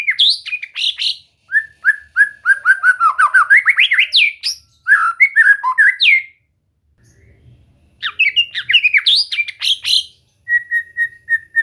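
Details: Caged white-rumped shama singing during relaxed training meant to get it singing freely: varied whistled and warbled phrases sweeping up and down, a short pause, more rich phrases, then a run of evenly repeated clear notes at the end.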